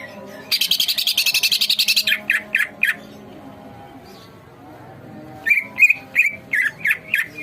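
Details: Agitated collared kingfisher on a feeding routine of two crickets each morning and two each evening. A rapid grating chatter lasts about a second and a half, then spaced sharp kek notes follow. After a quiet pause a new series of loud, evenly repeated harsh notes begins.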